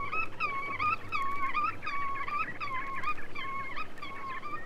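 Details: Black-tailed Godwit, archival 1961–1981 recording from a Soviet sound guide to waders: roughly eight reedy, wavering nasal notes in an uneven rhythm, with a faint low hum beneath.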